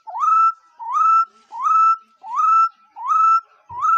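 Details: Bird whistling a rising, then level note, five times in a row at evenly spaced intervals of under a second, with rich overtones and little background sound.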